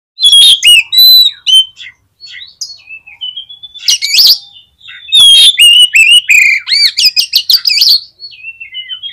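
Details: Oriental magpie-robin song played to rouse other magpie-robins into high excitement: loud, rapid bursts of clear whistles sliding up and down, mixed with harsh scratchy notes, broken by short pauses, then a softer falling whistled tail.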